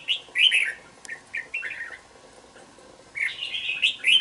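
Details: Two-month-old caged red-whiskered bulbul in a bổi cage sings short warbled phrases. A burst of quick, bouncing notes is followed by a lull of about a second, then a fresh run of slurred chirps.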